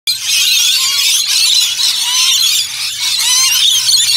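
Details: Rainbow lorikeets at Lone Pine Koala Sanctuary in Brisbane, Australia: a dense, continuous chorus of shrill, screeching and chattering calls from many birds overlapping without pause, with a faint low hum underneath.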